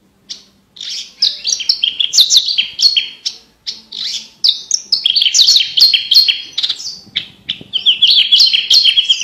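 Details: Javan bush lark delivering a long, rich tutor song for competition birds, crystal-clear; continuous rapid sequences of high chirps, slurred whistles and trills with only brief breaks.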